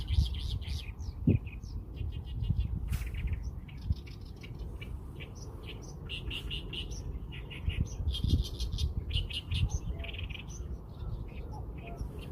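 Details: Bird twittering almost continuously with high chirps and short trills in irregular bursts, set against a steady low hum.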